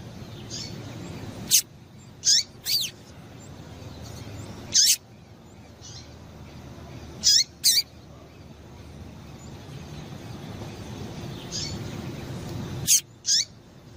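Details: Female Double-collared Seedeater calls, used to excite and stir a male into singing: short, high, downward-sweeping chirps given singly or in pairs at irregular intervals of one to five seconds over a steady low background hiss.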